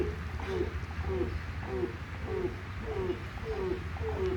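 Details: A grey crowned crane gives a run of nasal, slightly falling honks, about one every two-thirds of a second, over a low rumble of wind or handling noise.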